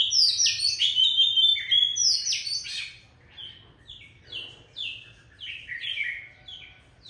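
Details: Feisty adult Oriental magpie-robin from the wild: loud, dense, high whistles and squeaks open the phrase. The song then softens into a string of spaced, repeated downslurred whistles.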